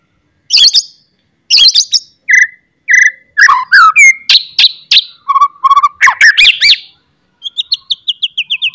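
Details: White-rumped shama in full song with loud harsh chatters and sharp whistles, used to provoke other shamas into singing. Varied rich phrases mix slurred whistles, rasping notes and a rapid twitter, closing with a descending run of quick notes.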